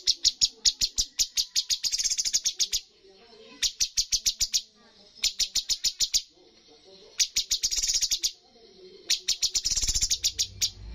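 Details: Cucak cungkok (sooty-headed bulbul) contest bird singing full 'tembakan', the highest-scoring style at bird competitions: five rattling bursts of fast, shrill, staccato chips, each lasting one to three seconds, separated by short quiet gaps.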